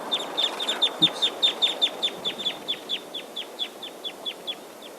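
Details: A flock of type 2 Red Crossbills recorded at Lip Saddle, close and loud after being flushed off a roadside and flying away, gives brief, emphatic, high, downslurred kip notes, two or three a second and overlapping, over a soft hiss.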